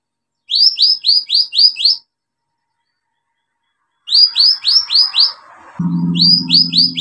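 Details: Vigorous olive-backed sunbird song played to stimulate birds that have stopped singing: repeated bursts of five or six quick, downward-curving high notes separated by silences, with a low hum and faint noise later.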